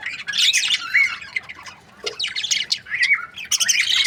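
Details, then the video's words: Several budgerigars from breeding pairs chatter together: scratchy warbles, bright rising whistles and harsh squawks come in tumbling bursts with short pauses. "Amazing budgie chirping sound | breeding pairs"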